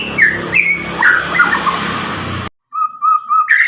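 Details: White-rumped shama from Medan, about nine months old, sings loud and clear as a prompt for silent shamas: whistles half buried in broad noise, then after a break clean repeated level notes and a rising phrase.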